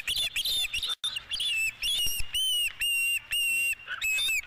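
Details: Osprey at its nest on a ranch with a fish, 12 April 2017 around 5:51 PM: loud, ringing whistled chirps, some slightly falling, in uneven runs of several notes broken by short pauses.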